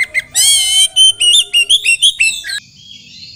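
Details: Oriental magpie-robin, a captive songbird, opening with a long harsh buzzy note rich in overtones, then a quick string of short whistled notes rising and falling, with faint low background hum.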